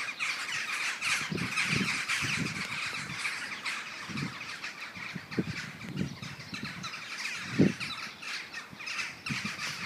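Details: Morning murmuration of common starlings, 21 November 2012: a continuous hiss-like chorus of countless chattering birds, broken by irregular low rumbling bursts, one loud thud near the end.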